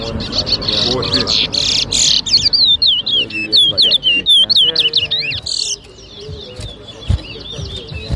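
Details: Towa towa, or chestnut-bellied seed finch, competing in a bird whistling competition at Rosehall, Guyana, in 2023, delivers a fast run of high, sharply modulated whistled notes, with voices and handling noise around it.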